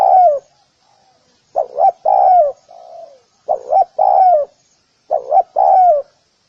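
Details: Spotted dove giving a gù kích bổi lure call to draw other doves; three-part coo phrases, two short rising notes then a drawn-out falling coo, separated by pauses, one quieter low coo in a gap.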